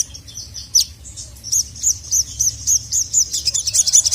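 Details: Agitated sogon calling a male repeats a bright, high upslurred chip roughly every third of a second, after a few scattered thin notes at the start.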